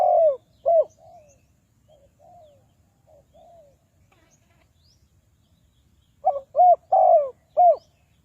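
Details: Spotted dove used as a lure to trap wild doves: loud bursts of low, hollow coos open and close the clip, with softer, drawn-out falling coos between them in a quiet setting.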